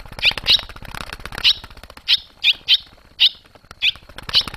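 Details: Fledging young barn swallows, July 2023. Bright high chirps, some paired, repeat irregularly over a steady low hum and a faint high whine.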